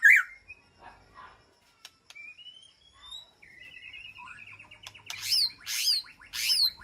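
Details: White-rumped shama in an aviary calling to its flock: quiet scattered whistles and a soft trilling series, ending with three loud harsh upswept notes spaced under a second apart.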